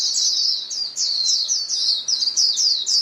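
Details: Calling white-eyes in a flock. Quick, high, slurred chirps follow one another several times a second in close succession.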